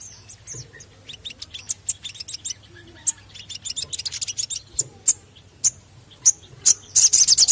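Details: Crested jay used as a lure call: a busy stream of high, sharp ticking notes of varied spacing, ending in a fast bright rattle; a faint low hum sits underneath.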